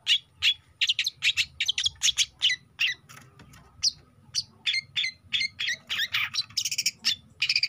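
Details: Energetic song of a young long-tailed shrike: a rapid chattering stream of scratchy, squawking notes with some high whistled inflections, nearly continuous for several seconds, a brief pause midway.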